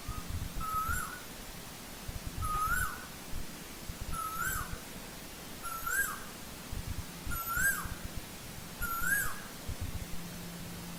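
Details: More distant Asian koel in old-growth forest: six whistled notes, roughly one every one and a half seconds. Each note rises and then falls, over a low, rumbling background.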